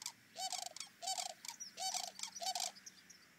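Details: Sandhill cranes calling at a lakeside gathering site give loud, rolling, trumpeting rattles, four bursts about every three-quarters of a second, with other cranes calling over one another.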